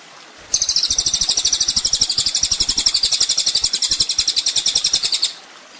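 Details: Sunbird (kolibri ninja) from a training master for songbirds: after brief quiet, a sustained high, rapid buzzing trill of regular pulses for about five seconds, then it stops.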